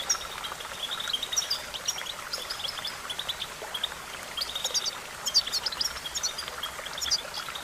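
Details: Training recording of European goldfinch song: chattering, high, bell-like twitters in short irregular bursts, building to denser phrases midway, over a soft, constant background hiss.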